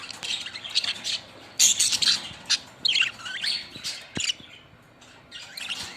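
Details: Budgerigars chattering: bursts of high, scratchy chirps and squawky warbles that come in irregular clusters, with a few louder sharp notes near the middle and quieter twittering between them.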